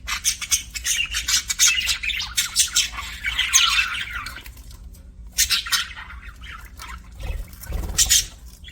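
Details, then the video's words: Pet budgerigars making happy chirping sounds: dense scratchy warbling and chatter in overlapping bursts, with gaps and a few low thumps. "BUDGIE HAPPY SOUNDS"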